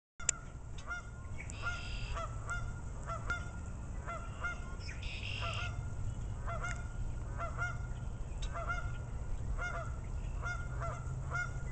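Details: Geese honking: short nasal honks repeated irregularly, often in quick pairs, with a couple of longer drawn-out honks, over a strong low rumbling background noise.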